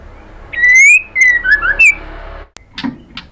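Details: Female white-rumped shama calling the male with a kretekan: a strong rising whistle and a string of brisk swooping notes lasting about two seconds, then a few sharp clicks and soft noises.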